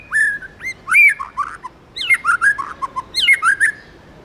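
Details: Wild-forest style song from a tamed white-rumped shama: rich, varied phrases of looping whistles, rapid chirps and swooping notes in bursts, with brief pauses between phrases.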